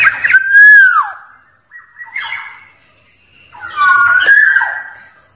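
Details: Wild black-naped oriole song used for calling rivals: a loud liquid whistle swooping down, a quieter short phrase, then a longer wavering fluty phrase after a pause.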